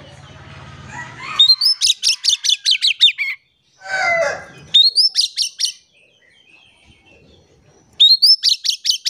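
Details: Oriental magpie-robin in lively full song, used as a lure to make silent birds sing. Bursts of rapid, high, staccato notes repeat over several seconds, broken once by a harsh rasping noise, with a low hum early on.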